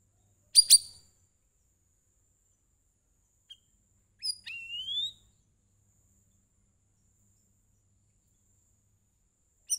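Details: Sooty-headed bulbul singing to lure other birds into song: a quick double burst of sharp high notes, long pause, then one rising, slurred whistled phrase, and a last short chirp at the end.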